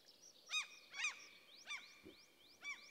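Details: Older breeding common crane (Grus grus) in forest in central Sweden, facing a young golden eagle's attack, gives four loud, harsh trumpeting warning calls over three seconds, with faint high rising whistles and a steady thin tone behind; Common crane.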